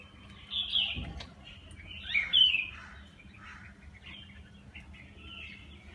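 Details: Wild birds visiting a terrace where they are fed and given water daily, chirping: high, slurred twittering phrases in scattered bursts, louder around the middle, with a brief thump and low steady hum beneath.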